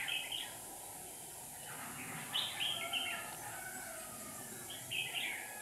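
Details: Two caged red-whiskered bulbul decoys luring a wild bird into a trap in Hòa Bình, Vietnam; sweet chirping and warbled whistles come in clustered bursts, with a soft steady hiss behind.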